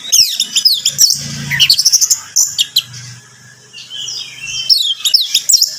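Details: Orange-headed thrush (anis merah) song, played to coax a captive bird into singing: dense bursts of high chirps and sweeping whistled notes, a quieter pause midway, then more rapid twittering, over a faint low hum.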